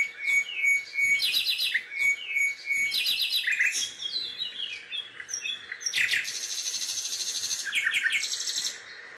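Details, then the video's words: Birdsong in Songdo: a steady series of clear whistled notes alternating with rapid trills and rattles, later a long high buzzy trill, several singers overlapping. "Songdo Birds Song"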